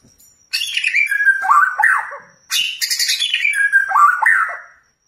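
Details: Provoking material for a white-rumped shama: two rasping, descending phrases, each starting as a high scratchy burst and falling into lower warbled whistles, separated by a brief silence.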